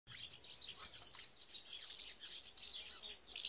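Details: Common house martins nest-building at the Dollard visitor centre, Groningen, Netherlands, on 8 April 2017, giving dry, chirruping twitters in quick, overlapping bursts, with several birds calling together.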